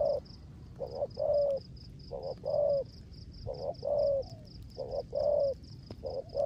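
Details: Rain-time 'rước gù' cooing from a spotted dove decoy: low hollow double coos, quick first note and longer second, repeated steadily about once a second, with a continuous high pulsing tick behind.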